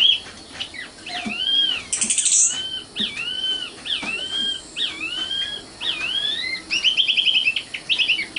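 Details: Common nightingale, Indonesian sikatan londo, singing a series of rising, hooked whistled phrases about once a second, with a brief very high buzz and a closing rapid stutter of sharp notes.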